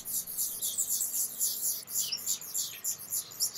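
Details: Black redstart observed in front of the camera, giving a fast, uneven stream of thin high chirps, several per second, some sliding downward, with no other clear sounds.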